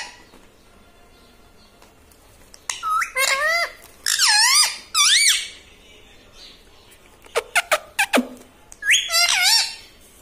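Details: Talking pet parrot kept indoors, said to say 'Mitthu', 'Papa' and 'Mummy'; three bursts of bright, nasal, speech-like syllables with bending pitch, separated by quiet pauses and a few sharp ticks.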